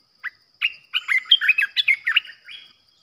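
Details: Decoy olive-winged bulbul used to lure birds for trapping, giving one short chirp and then a rapid chattering run of about a dozen liquid, warbling notes that jump up and down in pitch.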